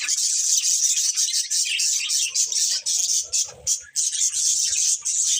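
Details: Budgerigar breeding pair producing a steady, rattly wash of very high, buzzy chatter, almost continuous, with short dips and soft low knocks near the middle.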